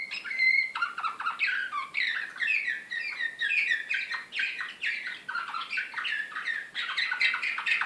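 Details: Agitated canary in Serbian slavujar song style, recorded in Belgrade in 2016, delivering a continuous fast stream of downslurred chirping notes and rolled tours without a break, one pure high whistle at the start.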